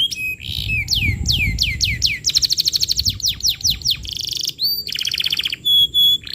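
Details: Canary singing strongly to tutor young canaries: varied phrases of downward-sweeping whistles, fast pulsed trills and high buzzy notes, each phrase changing quickly into the next.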